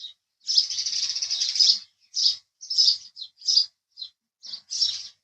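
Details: House sparrow starting with a sustained chattering burst of quick chirps, then single bright chirps spaced roughly half a second apart.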